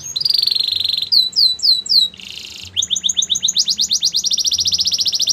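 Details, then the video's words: Belgian canary song with a steady whistled tone, a set of falling sweeps, a brief buzzy burst, then a long rapid trill of repeated notes that speeds up toward the end. "Melodies canary bird song | Belgian canary singing"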